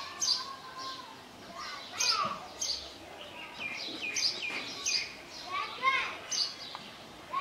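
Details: Russet sparrows in the Kashmir valley give bright, sharp chirps, several birds overlapping in an irregular chatter. Faint voices and background noise sit underneath.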